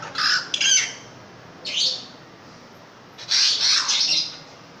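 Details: Caged long-tailed shrike in loud song: separate rasping, squawky bursts, some sliding downward, spaced by short pauses, ending in a longer run of grating notes.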